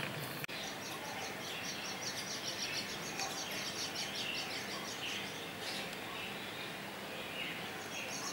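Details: A parent myna feeds her growing chick, which begs for more with rapid, high, scratchy chirps, repeated nearly twice a second, over a steady hiss of background noise.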